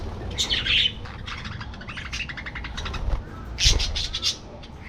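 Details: Budgerigars in an aviary colony: two loud bursts of harsh, squawky chirping near the start and again later, separated by quieter scattered chirps, over a low background rumble.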